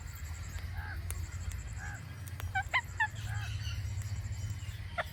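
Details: Indian ringneck parakeet producing its natural clicking: soft arched chirps early on, then a cluster of sharp clicks mixed with short bright notes near the middle and end, over a low continuous hum.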